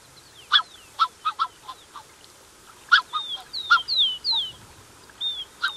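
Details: Close calls from a Black-necked Swan pair accompanied by cygnets: clusters of short, clipped honking notes, then a burst of high downward-sliding whistles and a final honk.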